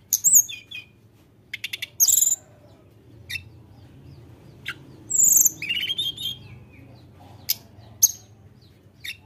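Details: Sunda robin in full song to provoke rivals: scattered sharp ticks and a short run of clicks, then a bright burst of high whistled phrases, with pauses between, over a low hum.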